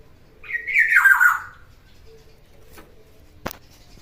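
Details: Harsh nasal squawk, a single falling phrase lasting about a second, from a ten-year-old black-naped oriole said to still sing eagerly; a sharp click follows later against a quiet background.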